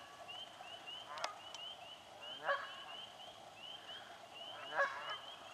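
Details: Swamp soundscape with Canada geese fighting for nesting spots: two spaced, moderately distant nasal honks rise above a dense chorus of repeated high chirping.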